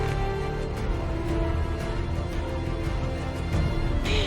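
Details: Dense dramatic instrumental music plays throughout, with no animal sound heard.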